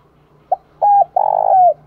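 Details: Decoy spotted dove calling to lure others: a short soft note, a level hollow coo, then a drawn-out rough, tremulous coo ending in a downward slide, with a faint low hum behind.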